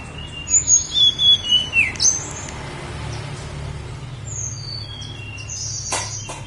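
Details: Snowy-browed flycatcher, Gunung Songgo Langit: six quick descending high notes, then softer thin whistles farther off, above a constant low hum.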